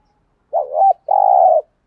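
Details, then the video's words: ["Spotted dove cooing in the 'thúc gù' style, used as a lure to agitate wild doves into answering. A single phrase: a short wavering double coo, then a longer, steady, throbbing coo after a brief gap."] "tiếng cu gáy THÚC GÙ bài bản/ chim cu gáy giọng bài bản giúp bổi ức chế và gáy theo"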